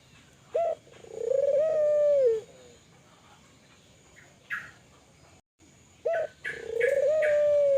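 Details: Spotted dove, Kelantan type, calling actively to stimulate other doves to call: a brief opening note then a drawn-out low mellow coo, repeated after a pause. Short higher chirps sound between the two calls.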